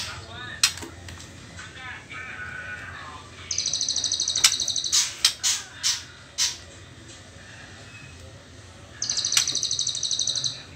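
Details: Young white-rumped shama at the trotol stage, before pastol, with faint talking at the start. It then gives bursts of rapid, buzzy high trills and several sharp separate notes, ending with another fast, even trill.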